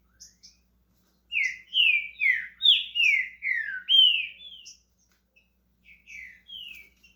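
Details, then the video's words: Green-winged saltator just starting to sing: a loud run of clear whistled, downslurred notes in quick succession, then softer, more scattered whistles after a short pause, in an otherwise quiet setting. "Trinca ferro SHREK começando a cantar"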